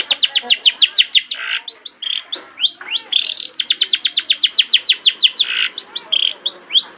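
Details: Master song of a long-tailed shrike for training young shrikes to sing: fast rattling bursts of high chirps broken by harsher buzzy notes and rising slurred whistles, with a faint hum beneath.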